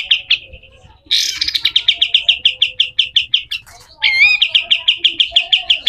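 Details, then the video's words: Pied triller delivering a rough besetan kasar song as a training track for other birds: harsh opening burst, a quick run of repeated chips, a short warbled twist, then more rapid, evenly spaced notes. "SUARA KASAR‼️katem gacor dor, masteran burung"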